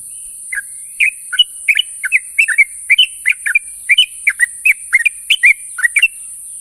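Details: Sooty-headed bulbul calling its companions in the morning: an even, rapid series of bright, bubbly whistled notes, around three per second, rising and falling in pitch, steady high hiss behind.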